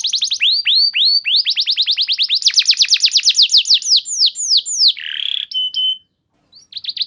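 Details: Canary lure song used for training other canaries, a long sustained 'nembak panjang' style: rapid runs of downward-sweeping high whistled notes in fast trills, shifting tempo, then a buzzy rattle and a brief pause.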